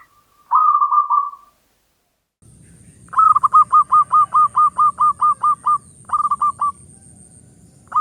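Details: Local perkutut zebra dove singing as a lure for quiet birds: one drawn-out coo, then about a dozen crisp, evenly spaced staccato notes and a short three-note tail, over a low rumbling hum.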